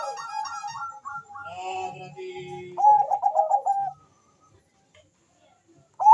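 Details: Zebra dove of the Bangkok type calling fast against an answering rival, used as a lure; rapid repeated coo notes, then a rolling bubbly phrase, followed by silence and a final clipped note.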